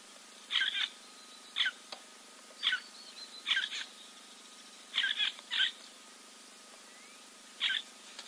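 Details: At Kings Camp waterhole in Timbavati Game Reserve, South Africa, a giant kingfisher preens; single or paired harsh, grating notes spaced a second or more apart over quiet background.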